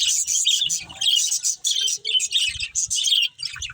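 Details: Breeding pair of budgerigars chattering constantly: dense, scratchy high chirps and warbles in quick overlapping bursts, with brief pauses near the end and faint low thumps underneath.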